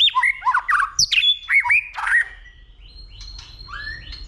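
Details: White-rumped shama male in fighting song, stimulated by a female: loud varied whistled phrases with sharp slurs, then softer rising whistles fading toward the end.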